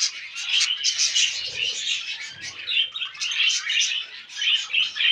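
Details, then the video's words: Caged budgie brothers in a mating display chatter nonstop with a dense, scratchy warble of quick chirps, clicks and squeaks, rising in intensity midway, with a few faint low thumps. "Budgie Brothers Mating"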